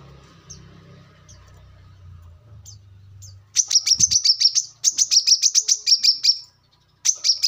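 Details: After a few faint notes over low hum, a brown-throated sunbird, used for luring and as a song model for training birds, bursts into fast, high, ringing chirp trills in three runs.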